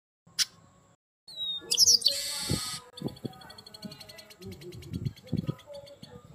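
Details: Chestnut-capped blackbird, described as lively and ringing a lot. A short high note comes first, then a dense buzzy burst and a run of rapid, evenly pulsed high ticks, over low rumbling background noise.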